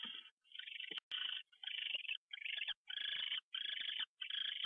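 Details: Owl on a January 27, 2013 morning fly-in just after 6 AM. Raspy, snore-like hisses are repeated about twice a second in a steady series of rough bursts, with one sharp click early on.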